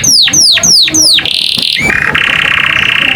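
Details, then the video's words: American canary singing a varied, melodious song: four repeated sweeping down-slurred whistles followed by a sustained trill and a fast, even rattle. "the beautiful sound of the American canary."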